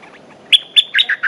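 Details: A fight-ready territorial male Streak-eared bulbul gives sharp ringing notes followed by three warbled, slightly falling chirps in quick succession, loud and clean.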